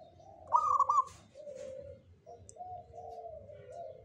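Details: A local perkutut (zebra dove) of the Jogoboyo type gives a short rapid stuttered coo phrase near the start, followed by steady lower mellow cooing notes that run to the end.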